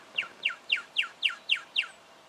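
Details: Juvenile Brown Goshawk in Victoria, Australia, October 2011, gives seven sharp, high, downward-sliding notes in a quick even series about four per second, with faint hiss.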